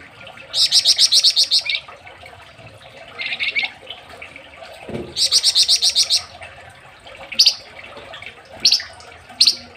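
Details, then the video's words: Flamboyan songbird in Indonesia, recorded as a master song for training songbirds: fast rattling bursts of high buzzy notes about a second long, repeated with pauses, then single sharp high notes. "BURUNG FLAMBOYAN MASTERAN MURAH NEMBAK RAPAT"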